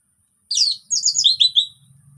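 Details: Orange-headed thrush in relaxed song, used as a lure to get silent thrushes singing; two bursts of high, quick, slurred warbled notes, the second a run of descending whistles, then quiet.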